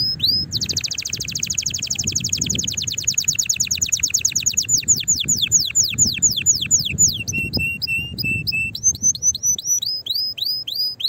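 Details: Canary singing strongly to stimulate others to sing and prepare the female for mating: a long rapid trill of high sweeping notes slowing into spaced down-slurred whistles, then mixed chirps and repeated upswept notes.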